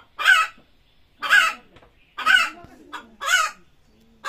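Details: Hen squawking before laying eggs, loud grating calls spaced about a second apart, with a shorter weaker note after some of them.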